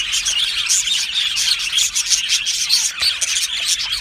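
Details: Crowded aviary of happy budgerigars giving rapid, high twittering chirps with a few clear whistled notes cutting through the continuous flock chatter.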